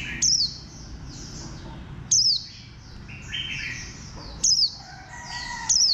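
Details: Warbling white-eye, described as having a bantam-like posture, gives a sharp, high note that slides downward. It repeats about every two seconds over a soft backdrop of faint high twittering.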